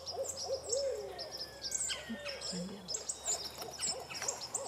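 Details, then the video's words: Barred owl giving a rapid run of arched, cackling hoots in the first second, then scattered falling hoots, while small birds chirp and twitter high above throughout. "Barred Owl Calling"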